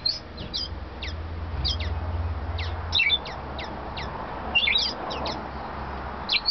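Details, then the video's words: A male Splendid Grass Parakeet (scarlet-chested parrot) kept as a pet sings a rapid series of thin, high, descending whistled chirps, roughly two or three per second, over a low background rumble. "Splendid Grass Parakeet Singing"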